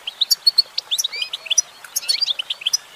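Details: Clear female goldfinch singing, a quick jumble of high, liquid twitters and short whistled slurs with no other noise.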